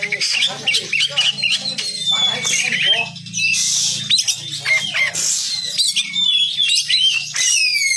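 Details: Oriental magpie-robin (kacer), master song recording for training contest birds: a rich, varied medley of loud whistles, sweeping slurs and scratchy rapid notes with no pauses, over a steady low hum.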